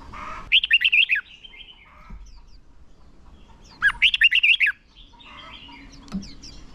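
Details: Red-whiskered bulbul decoy song for training contest birds, a long twisting fighting song; two short bursts of rapid, bubbly warbled notes a few seconds apart, with softer chirps and a faint click between them.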